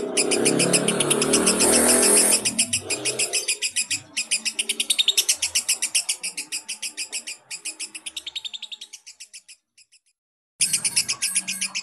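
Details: Fighter lovebird in a long ngekek, the chattering laugh used to draw baby lovebirds: loud rumbling noise at first, then quick, piercing repeated notes with short breaks and one moment of silence.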